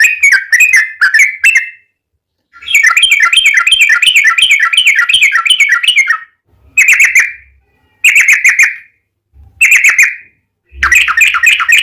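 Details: Yellow-vented bulbul in long rattling 'ropel' song, used as a lure to make other bulbuls sing: fast rattled trills alternate with short bursts of bright, slurred notes, broken by brief silent gaps.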